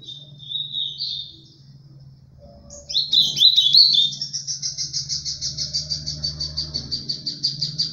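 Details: Ultramarine grosbeak with mineiro pena branca style song: a short warble, then a rich slurred phrase that runs into a long, fast pulsing trill repeated many times per second, over a steady low hum.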